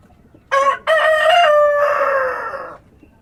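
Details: A farm rooster greets the dawn with a single crow: a brief first syllable, a pause, then a sustained ringing note that drifts slightly downward, set against soft countryside background.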